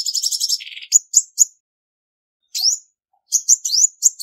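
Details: Female Olive-backed Sunbird singing to excite males, clean recording: a fast twittering trill ending in a buzzy lower rattle, a few sharp chirps, a pause, then more rising high notes.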